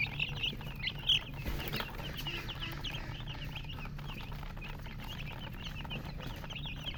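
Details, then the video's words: Many small colored chicks peep together in a busy, continuous chorus of high chirps, each note short and bending, overlapping quickly with one louder cheep early on. "silly chicken chirping sounds"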